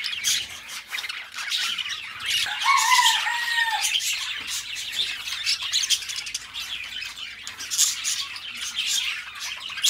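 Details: Pet budgerigars, two best friends, keep up a scratchy warbling chatter; near the middle a clear whistled note slides downward, then busy chirping and squawks continue.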